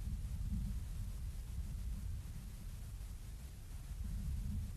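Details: Low rumbling wind-like noise fills the whole recording, with no animal sound present.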